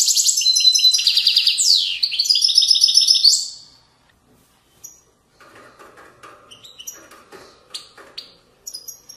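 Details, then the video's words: European goldfinch, authentic widani song style from Moroccan riverside valleys: about three and a half seconds of loud, fast, liquid twittering with trilled phrases and a descending sweep, then much quieter scattered chips and clicks. "تغريد ويداني أصيل من ضفاف الوديان المغربية goldfinch hason chant widaniya chardonner"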